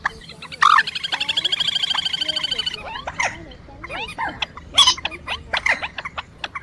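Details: Night-netting lure of two birds, quốc biển and trích ré, March 2024 migration: a sharp squawk, then a long even rattling trill lasting about two seconds, followed by quick upslurred whistles and clipped notes.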